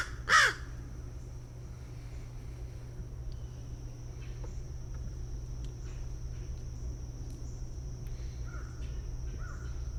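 An American Crow gives one loud, harsh caw at the start, then falls silent; a low steady hum and a faint high whine fill the rest.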